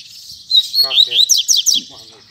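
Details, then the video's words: Caged double-collared seedeater in the Tui Tui Zel Zel style. A brief whistled phrase runs into three quick, sharp descending chirps, while a man's voice talks over part of the song. "Coleiro Tui Tui Zel Zel"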